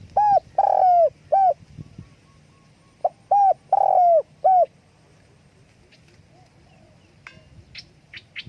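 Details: Spotted dove calling with wing flapping: two cooing phrases of short and drawn-out hoots, then quiet with a few faint high chirps from other small birds toward the end.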